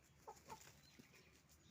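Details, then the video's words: Roosters and hens making noise on a chicken farm: two sharp, short clucks in quick succession, then fainter scattered calls over a low background hum. "Moment of the sound of a chicken farm, roosters and hens making noise"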